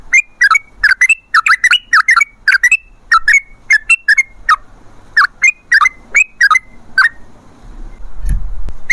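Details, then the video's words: Sooty-headed bulbul song for luring wild birds, crisp fluty phrases of two or three notes repeated about twice a second, with a soft hiss and a dull knock at the end. "Pancingan Trucukan PALING AMPUH ! Burung Langsung Ngalas | & Nyaut Gacor"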